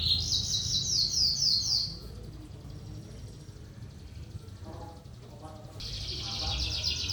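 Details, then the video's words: Lark in 'trotolan' song: a two-second burst of dense, rapid high chatter, a quieter gap with faint low sounds, then another loud run of fast buzzy notes. "burung sonca prospex trotolan gacor"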